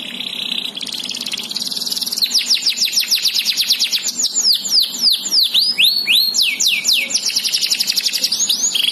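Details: Canary, described as a strongly singing bird with unique symmetrical face plumage, giving a fast rolling song of rapid repeated high downslurred notes, some trills and longer swooping whistles, with a steady faint low hum behind.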